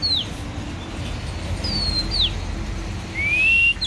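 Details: Oriental magpie-robin, described as a warrior bird, giving sparse clear whistles: quick downslurred notes, a long thin whistle, then a slowly rising pure whistle over steady low hum.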